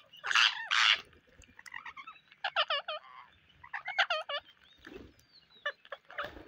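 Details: Parrots on a rainy day give loud, raspy screeches at the start, then clusters of quick, nasal, stacked chattering notes in short bursts, over a faint steady hum.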